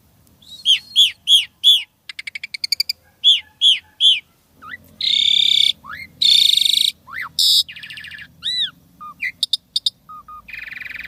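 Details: Jalak Suren, the Asian pied starling, with full isian tembakan fill-in song. A series of arched whistles, rapid tick trains, loud harsh buzzing stretches and short descending slurs.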